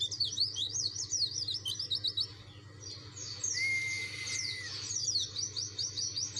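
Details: Dakun white-eye singing insistently to provoke rivals: fast, high, slurred chirping phrases. A single long, flat whistle is held for about a second partway through, over a steady low hum.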